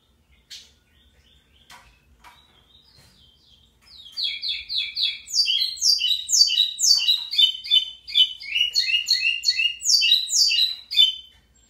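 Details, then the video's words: Local pico plat, or lined seedeater, singing big: a few scattered high chips and clicks, then a loud, extended burst of rapid buzzy descending slurs, dense and chattering, lasting about seven seconds. "Local Pico Plat singing big"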